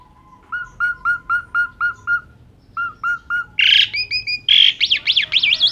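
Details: Gacor full isian song of an Asian pied starling from Indonesia, recorded as training material for songbird keepers: a steady row of evenly spaced piping notes, a pause, more piping, then harsh bursts and rapid warbling trills.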